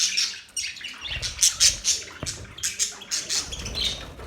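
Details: Short, sharp budgie chirps and squeaky squawks come in quick separate bursts, roughly several per second, over faint low background noise.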